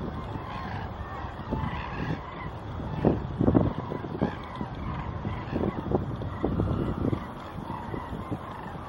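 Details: Large resting flocks of common cranes settling on meadows at Horloffauen near Utphe, Wetterau, Germany, on a clear afternoon, 30 December 2021, give overlapping loud trumpeting calls in constant chatter over low distant traffic rumble.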